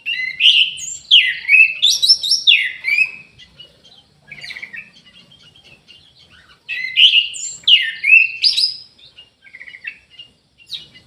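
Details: Orange-headed thrush kept in an aviary, repeating a loud, varied song phrase twice: swooping whistles and scratchy trills lasting about three seconds each, separated by quieter twitters.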